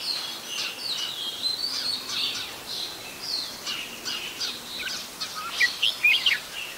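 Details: Adult Red-whiskered Bulbul, Ubon Ratchathani, Thailand, December 16, 2020: a constant high twittering chorus, ending in a short burst of loud, sharp, bouncing notes close by.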